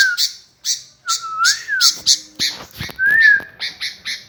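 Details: Gacor kutilang, a sooty-headed bulbul, gives a long wavering whistle, then another sustained clear whistle, amid evenly spaced harsh high chirps and a few low knocks.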